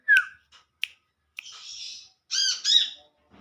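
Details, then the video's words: Olive-backed sunbird (Kolibri kelapa) calling to its companions in the wild: a loud downslurred whistle, a few sharp clicks, a soft hissing note, then two strong rasping, harmonic buzzes, with a faint low rustle at the end. "Suara Panggilan Burung Kolibri Manggar/Kolibri kelapa"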